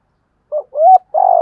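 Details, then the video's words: Decoy spotted dove cooing to draw out and provoke wild doves into calling back; a brief soft note, a rising hollow coo, then a rolling purred coo cut off at the end, clear and close. "chim cu mồi thúc gù bài bản. tiếng gáy bổi rừng rất ghét, nghe điên đảo gáy theo liền"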